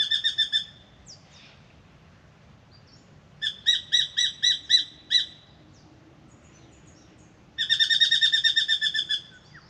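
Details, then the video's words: Spangled drongo at an Australian birdbath in the morning: three bursts of metallic, nasal notes, the middle one a slower series of six ringing pulses, the last a quick buzzy trill. "Beautiful Spangled Drongo sings and comes for a drink"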